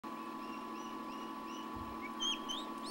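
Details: Turkey chicks hatching in an incubator in 2006 give thin, high, rising peeps, soft at first and then louder near the end, over a steady mechanical hum.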